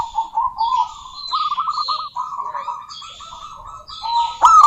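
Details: Continuous rapid cooing from a local female zebra dove calling to a rival, ending in a louder sharp note, with higher chirps and twitters of other birds behind.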